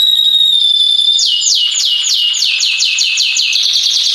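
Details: Canary song meant to stimulate other canaries to sing. A long, steady, high whistle leads into a fast series of sharply down-slurred notes, about three per second, kept up without a break.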